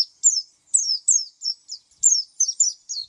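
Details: High twittering song of an oriental white-eye, sharp falling chirps delivered in short clusters roughly every half second, with no other sounds present.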